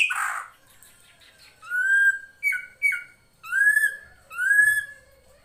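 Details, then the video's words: Drongo (srigunting krantil) recorded as master song for training songbirds: after a harsh opening note, clear whistled notes, some flat and long, two short and dipping, sounding rich and ringing. "MASTERAN SRIGUNTING KRANTIL FULL ISIN"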